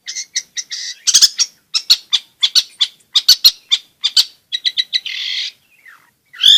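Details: Long-tailed shrike in full song, meant to stir silent shrikes and train young birds. Quick varied chirps and trills fall into clusters, with a brief harsh rasping burst near the end.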